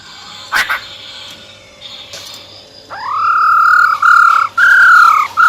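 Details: Female silver-eared laughingthrush giving wild-type song, used to rouse males quickly: after a few sharp clicks, a rising whistle leads into long, steady, clear whistled notes held for about a second each, with slight breaks between them.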